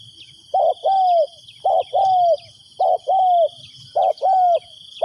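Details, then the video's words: Decoy spotted dove calling to wild doves: a deep two-part coo, a short note followed by a longer drawn-out croo, repeated about once a second, over a steady high whine. "chim cu mồi gáy gọi bổi"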